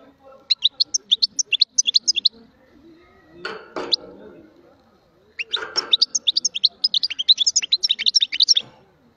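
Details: A goldfinch sings bursts of bright, high chirps and trills, broken midway by a few seconds of rustling and knocking noise before the twittering resumes more densely.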